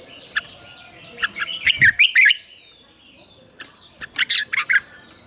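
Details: Red-whiskered bulbul singing its morning training song in the double-note style of a mature wild bird. Two clusters of sharp, chirpy notes are separated by a quiet gap. Softer background twitters and low rustling noise accompany them.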